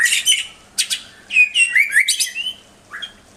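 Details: Pet-bird tutoring recording of white-rumped shama singing. Harsh squawky bursts alternate with quick downslurred and upslurred whistles in short choppy phrases, ending with a lone quieter note. A faint low electrical hum is present.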